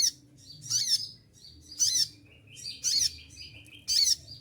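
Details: Olive-backed sunbird in moult, losing its feathers yet still singing hard: five shrill, sharp bursts of 'shooting' notes, each with a fast descending flourish, joined by thin lower whistled trills in between.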